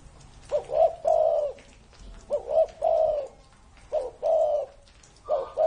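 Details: Ornamental spotted dove, stated to be more than 30 years old, repeating its low cooing phrase: a brief coo and a stuttered note leading into a long rolling coo, heard three times in succession with a fourth beginning, in a quiet setting.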